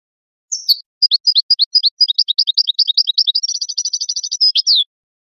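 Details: Goldfinch song for teaching young birds: a brief chirp, then an evenly paced run of high, slurred twitters that quickens into a rapid trill and ends on a buzzy note.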